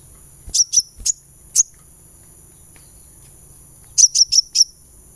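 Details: Sunbird therapy sound meant to get a bird singing: a quick series of four very high, clipped chips, a silent gap, then a rapid run of four more piercing notes.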